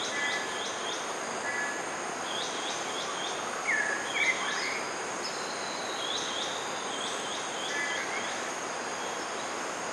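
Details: Whiskered treeswift (Hemiprocne comata) in Hala Bala, Narathiwat, Thailand, gives two sharp, high, downslurred notes about half a second apart, over steady insect buzzing and hiss.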